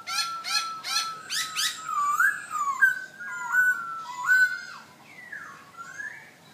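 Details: Black-throated laughingthrush kept as a cage bird in Hanoi, Vietnam: a quick series of harsh buzzy notes, then mellow wavering whistles that rise and fall, some with sudden upward jumps, fading at the end.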